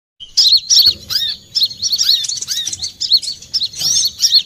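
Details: Olive-backed sunbird (kolibri kelapa) in a lure recording used for bird trapping: high, thin chirps and arched, whistled notes in rapid overlapping bursts, with short gaps between phrases.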